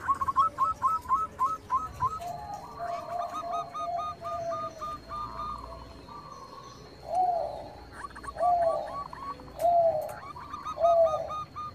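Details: Zebra dove of the Bangkok type cooing, meant as a lure to get rival birds singing: strings of short coos overlapping from several birds, ending in four spaced louder drawn-out notes.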